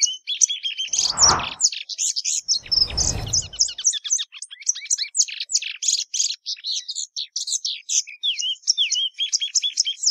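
A Plumbeous seedeater sings a fast, unbroken run of high, sweet chirps and short slurred notes, with two brief low thumps early on.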